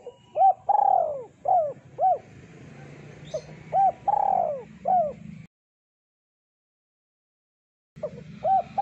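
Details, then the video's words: Spotted dove cooing vigorously in a thick voice for bird luring: a run of short hooked coos mixed with long sliding ones, loud and regular, a silent gap, then the short coos resume; low background hum. "Suara Burung Terkukur Deruk Derkuku Gacor Suara Tebal Buat Pikat"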